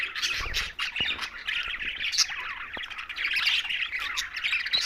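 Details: Pet green budgerigars chirping together, a thick mix of high rasping squawks and warbled notes, with a soft low bump at the start and a few sharp clicks.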